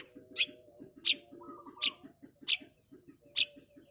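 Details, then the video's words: Cendet (long-tailed shrike) in fast gacor-style masteran song: five sharp, explosive high chips spaced under a second apart, one brief mid-pitched whistled note between, over a constant thin high whine and quick low rhythmic ticking. "Cendet Super Speed, kuat kaya werkudoro oreo masteran burung kicau gacor dor rool speed"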